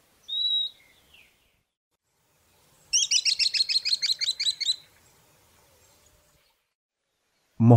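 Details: Southern Beardless-Tyrannulet in Argentina: a single thin high whistle, then after a pause a fast even run of about a dozen bright, high piping notes lasting nearly two seconds, ending with a brief low thump.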